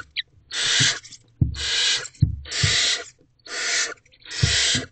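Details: Barn owls in a nest box before dawn, 4:56 am, as the adult female returns with a large rodent for the owlets: loud harsh rasping hisses, five long screeches about a second each with short pauses, soft thumps beneath.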